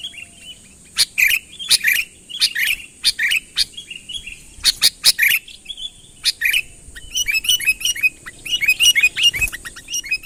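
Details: Unmixed recording of a vocal sooty-headed bulbul calling a rival closer: scattered single chirps separated by pauses, sharp broadband clicks between them, then a busier burst of chirping near the end over a thin constant high tone.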